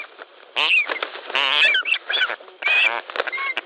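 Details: Ospreys at a Latvian nest on a July 2013 evening, one trying to seize another's fish; a rapid jumble of loud rasping, wavering whistled squeals in three bursts.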